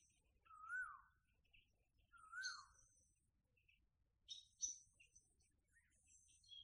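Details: Red-vented bulbul calling outdoors: two short, mid-pitched slurred whistles about a second and a half apart, rising then dipping, amid high thin chirps and trills from other birds.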